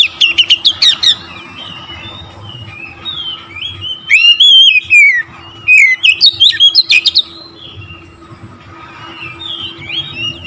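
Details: Oriental magpie-robin (kacer) song meant to provoke other magpie-robins: fast bursts of sharp chips, rich looping whistles and slurred phrases, pausing between bursts, with a steady low electrical hum.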